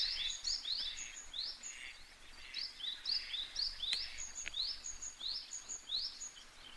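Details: Eastern spot-billed duck (Anas zonorhyncha) ducklings with their parent, recorded 21 May 2023, peep constantly with thin, high upslurred notes about four per second, overlapping one another, over a soft outdoor hiss.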